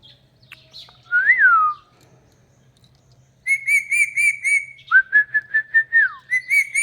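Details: Parrot whistling and talking while dancing: a rising-falling whistled slur, then a run of bright harmonic syllables and a series of about eight quick, evenly spaced whistled notes ending in a falling glide.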